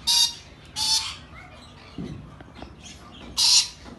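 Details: Rainbow lorikeet giving loud, harsh, rasping screeches, two in quick succession, then a pause with soft low knocks, then another screech.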